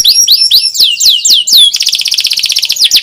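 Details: Canary song in the 'nyerilik' style, played as a lure and master song to get young canaries and reluctant singers to sing: a run of loud, whistled, down-slurred notes about four per second, then a fast, even, buzzy trill.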